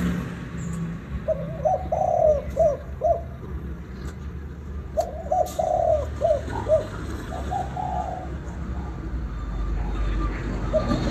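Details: Vietnamese spotted dove calling to stir up other doves: two phrases of hollow coos, each a quick stuttering run ending in a longer, drawn-out note, with a few stray clicks and a steady low hum.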